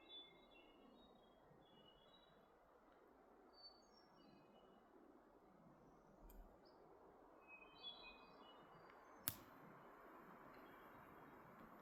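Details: Wood thrushes in Maine trade faint, high, flutelike phrases in call and response every few seconds over steady rushing wind hiss, with a couple of sharp clicks; other songbirds present.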